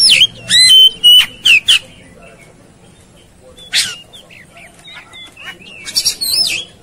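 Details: Oriental magpie-robin singing in fierce, fighting 'tarung konslet' style: a rapid series of loud harsh buzzy notes mixed with slurred whistles, a pause, then quieter varied whistles and a closing harsh rattle.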